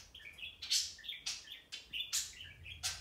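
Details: Soft warbling whistles from pet budgerigars, short wavering notes stepping up and down, broken by loud clicking bursts about every half second, over a faint low hum.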